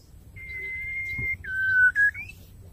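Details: Female White-rumped shama (murai batu) calling the male: a long steady whistle, a short break, then a lower held whistle ending in a brief rising flourish, over low background hum.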